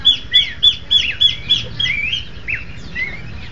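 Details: Horsfield's babblers singing a duet: high clear whistles repeated about three times a second, interleaved with lower rising slurred notes that trail off toward the end, over a faint low hum.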